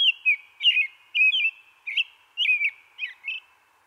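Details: American Robin singing in spring in a central or eastern US backyard: short, clear, slurred whistled phrases that rise and fall, about eight in quick succession with brief pauses, like cheer-up, cheer-up, cheerily.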